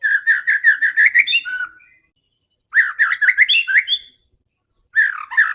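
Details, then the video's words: White-rumped shama, called very fierce and combative, singing to spur other shamas: fast series of repeated whistled notes, about eight in quick succession, ending in a falling note, then similar bursts after pauses. "MURAI BATU GACOR‼️ SANGAT FIGHTER DAN GANAS UNTUK PANCINGAN MURAI ANDA"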